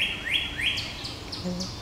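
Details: On a morning nature-trail walk at a county museum, a Northern Cardinal sings two loud, rising slurred whistles and fainter, higher upslurs follow as another cardinal answers, the two talking to each other, over a low murmur of voices.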